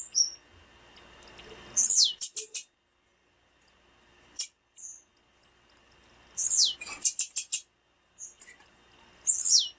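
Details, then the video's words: High, descending whistles alternating with short bursts of sharp chips from a female blue-black grassquit, whose call is used to stimulate singing in male grassquits. "PIADO DE FÊMEA DE TIZIU PARA ESQUENTAR TIZIU"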